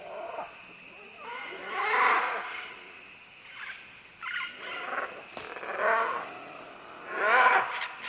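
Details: A flock of green-winged macaws calls while clambering down vines at medium-close to medium range. About five coarse, braying squawks come at irregular intervals of one to two seconds, the last among the loudest, with faint clicks between.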